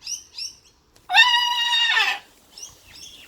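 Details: Blue-and-gold macaw at play gives one loud, raspy squawk lasting about a second, flat then dropping at the end, with faint high chirps of small birds before and after.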